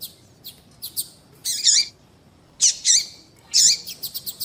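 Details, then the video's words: Female double-collared seedeater calling to lure males: loud high squeaky chirps with curling undertones in three main bursts, separated by quieter ticks, ending with a quick run of short notes. "fêmea de papa capim chamando"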